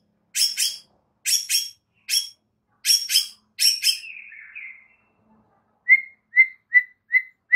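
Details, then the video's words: Morning training song of a white-rumped shama, used to prompt other shamas into singing: paired harsh broadband chips repeated about every second, a falling trill, then a run of five clear whistled notes. "MASTERAN Murai Batu PAGI INI mampu buat Murai Batu MACET TOTAL jadi GACOR NGAMUK seketika"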